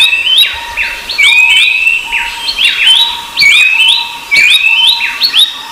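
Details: Rufous-browed babbler with Horsfield's babbler nearby: repeated clear whistled notes that bend upward and flatten, grouped into lively phrases about a second apart, several birds overlapping, a quiet hum underneath.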